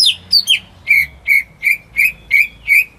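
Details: Home-kept greater green leafbird singing, used to lure silent birds into song: a series of about nine clear whistled notes, the first few sliding down, later ones short rising slurs repeated roughly every 0.4 seconds.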